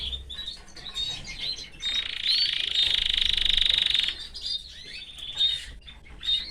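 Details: Caged canary with its family, giving a steady, fast buzzing trill lasting about two seconds, framed by quieter scattered twitters and chirps.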